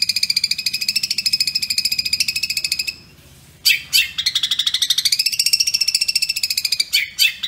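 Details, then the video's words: Long-tailed shrike master song for tutoring caged birds, kuntilanak and gereja tarung style at fast dense speed: rapid pulsed high chatter repeated several times a second, a brief pause, then sweeping notes and renewed rapid pulses. "Cendet Kuntilanak Sambung Gereja Tarung Speed Rapat"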